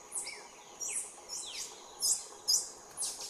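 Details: Red-rumped Woodpecker (Veniliornis kirkii) call: six thin, very high, squeaky notes, each sweeping sharply downward, about one every half second, over faint background hiss.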